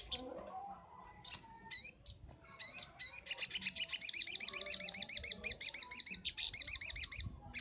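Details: Training master recording of a crimson sunbird (sogon): a few sharp rising chips, then a sustained fast high trill of repeated ticking notes lasting over four seconds.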